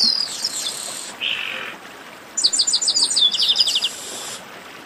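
Chestnut-capped blackbird singing high, thin whistled notes and a short buzzy phrase, then a quick run of about a dozen sharp chirps.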